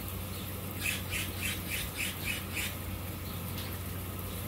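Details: Blue jay in a backyard with a pond: a run of about eight harsh, broadband squawking notes in quick succession, with a steady low hum running underneath throughout.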